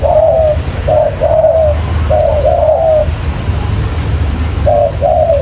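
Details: Lure call of a spotted dove for bird trapping: three pairs of mellow, low coos, each pair a clipped first note and a longer second note that sags at the end, with a soft constant hum beneath.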